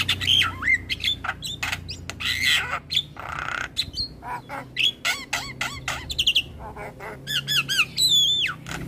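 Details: Asian pied starling song meant as a training recording to make starlings sing: rapid harsh squawks and chattering clicks mixed with clear whistled upslurs and wavering notes, loud and continuous, faint low hum beneath.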